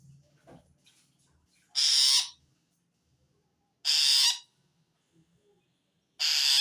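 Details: Long-tailed shrike giving a strange call toward wild shrikes, a sign it feels threatened by other shrikes; loud grating rasps of about half a second, repeated roughly every two seconds, three in all.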